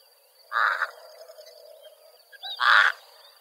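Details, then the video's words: South African pied crow giving two harsh, hoarse caws about two seconds apart, each a short rasping burst, over a faint steady background hiss. "Pied Crow Range Map & sounds"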